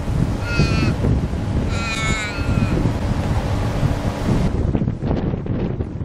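An umbrella cockatoo gives two harsh, wavering screeches about a second apart over heavy low rumbling background noise.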